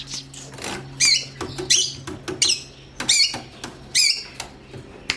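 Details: A long-tailed shrike sings as training audio for other songbirds, giving scratchy, descending high notes at uneven intervals, each roughly a second apart, over a low steady hum.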